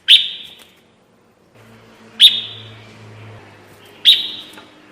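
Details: Red-whiskered bulbul, recorded as a lure for trapping: three piercing chirps, each dropping into a short smeared tail, about two seconds apart, with a low hum between them.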